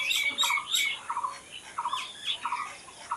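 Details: Chirping birds recorded in nature: a quick run of buzzy, stuttered notes repeated about every half second, mixed with higher sharp squeaky chips from other birds.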